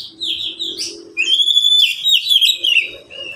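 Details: Caged Oriental magpie-robin, one of three kept birds answering one another, sings loud varied phrases: slurred whistles around the upper range, a long sustained whistled note, then quick warbled chirps, with faint low room hum beneath.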